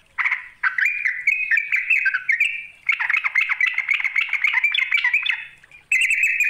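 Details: Rival-provoking call of a yellow-vented bulbul, a lively run of bubbly, warbling chatter with quick pitch wobbles, broken by one short pause, ending in a bright buzzy phrase.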